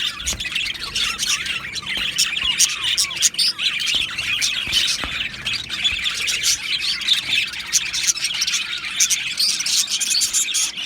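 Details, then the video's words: Two male Australian budgies chatter: short looping whistled notes and high chirps early on, then squawky warbling and clicks, continuous and busy throughout. "2 Male Budgies Birds Sounds | Australian Budgies Birds chirping sounds"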